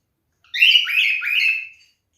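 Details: Male cockatiel showing mating behaviour utters a raspy, wavering call of three linked notes, each dipping and rising, lasting just over a second indoors.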